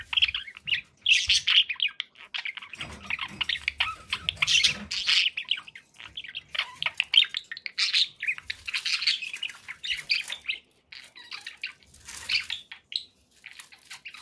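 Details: Steady chatter from pet budgies: fast, overlapping chirps and buzzy warbles carry on for the whole stretch, with occasional faint low knocks underneath.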